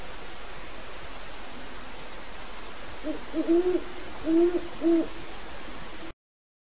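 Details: At night two aviary-kept great horned owls hoot toward wild owls in the area to assert territory: after three seconds of hiss, a faint group of about five low, muffled hoots in quick pairs.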